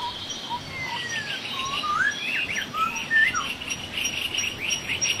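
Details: Laughingthrush in the wild giving upward-sweeping whistled notes and slurred phrases over a steady buzz of chattering, with scattered higher chirps through the recording.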